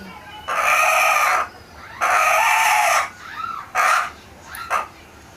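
A hen gives loud, harsh, rasping squawks, two lasting about a second, then shorter bursts, with soft rising clucks in between.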